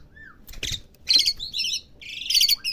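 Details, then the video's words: Home-kept Asian pied starling (jalak suren) learning to sing: a short, thin downslurred whistle followed by several loud, scratchy, chattering bursts. "jalak suren rumahan belajar bunyi"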